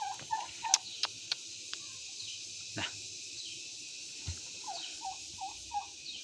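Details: Turkey hen in a village in Nepal giving its 'kor kor kor' call: short, mid-pitched bent notes, four evenly spaced in a run near the end, after scattered earlier notes, sharp clicks and knocks.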